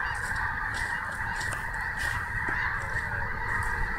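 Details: Many snow geese calling together at Snohomish: a constant mass of high nasal honks blending into one chattering wall of sound, with a few louder individual yelps standing out.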